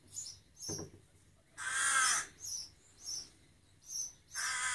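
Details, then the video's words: Young rook begging for food with two drawn-out, raspy caws, one long in the middle and one at the end, separated by short, high, squeaky notes in a steady rhythm. "The Baby Rook Cawing for Breakfast"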